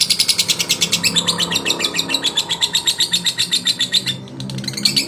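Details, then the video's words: Male lovebird provoking rivals with rapid, high-pitched chattering pulses in a quick, slightly uneven rhythm. The chatter dips briefly near the end, then resumes. "SUARA LOVEBIRD JANTAN MERANGSANG EMOSI LAWAN"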